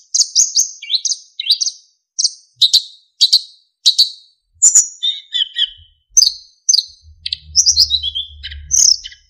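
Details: Narcissus flycatcher in lively training song, full of fill-ins and clear flute-like notes. There is a steady stream of high, sharp whistled and chirped notes, each varied and about half a second apart, with a faint low rumble near the end.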